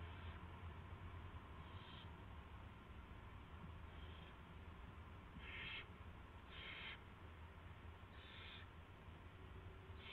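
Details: Owl bringing in a rat, March 2, 2016, 7:05 PM: a series of brief breathy hisses, some faint and some louder, roughly every one to two seconds, with a constant low-pitched hum beneath.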